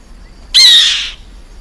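A black-winged kite gives one harsh, wheezy screech about half a second long, high and rasping, against a quiet background.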